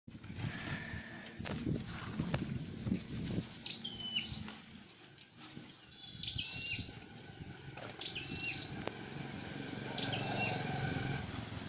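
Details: Dark-necked tailorbird, in a setting of training and trapping this bird, singing short high phrases: a sharp rising note dropping into a flat whistled tail, four phrases roughly every two to three seconds over a low rumbling background.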